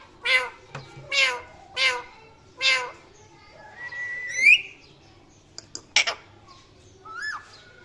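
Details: Indoor parrot alternating clipped chirps with whistles: several short squawky bursts, a long rising whistle near the middle, then scattered sharp chirps and a brief wavering whistle at the end, over a faint background hum.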